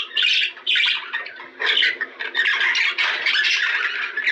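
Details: Budgerigars warbling to stimulate mating: dense, scratchy chatter of rapid squeaks and buzzy notes in loud bursts, with a short dip near half a second and another around one and a half seconds.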